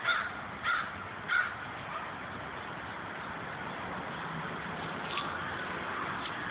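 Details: Crows in a group in old trees near old Victorian houses in Corn Hill, Rochester, New York: three harsh caws in quick succession, then steady low traffic-like rumble.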